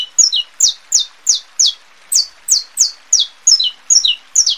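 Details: Saffron finch singing to warm up other birds, ready females and teach chicks: quick, bright downslurred chip notes repeated nearly three per second, a few in paired steps, clean and close.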